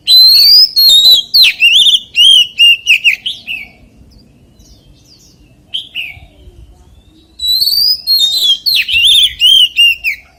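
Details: Oriental magpie-robin, forest-voice song: two long bursts of rapid, rich whistles and chattering notes separated by several seconds of near silence with a few faint notes.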